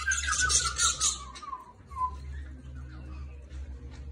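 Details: Budgerigar giving a burst of fast, scratchy high chatter that fades after about a second, followed by a few softer short notes.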